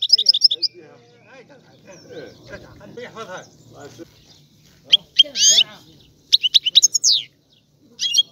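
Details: Sicilian European goldfinch (Carduelis carduelis), described as a rare, "ancient" song, sings bright, tinkling twitters and quick buzzy trills in short bursts, with softer, lower murmuring sounds in between.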